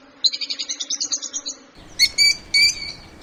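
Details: Lovebird calling: a rapid, buzzy trill of evenly spaced pulses lasting over a second, then after a short pause, three louder, ringing, harmonic-rich chirps over a noisier background.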